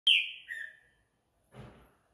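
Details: Green-winged saltator singing at night: one loud, clear whistled phrase opens with a bright high note and slides down into a shorter, lower whistle, then fades, followed by a soft rustling sound.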